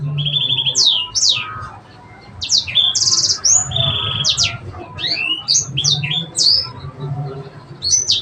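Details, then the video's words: Sanger song in cengkok style, alternating level high whistles with quick downward slurs, buzzy bursts and sharp chips in phrases broken by brief silences. "Cenkoknya Burung Sanger"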